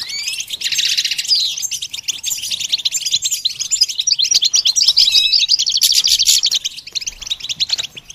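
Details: Goldfinch song opens with a harsh buzzy burst, then flows into a long, fast, dense twitter of high tinkling notes and trills.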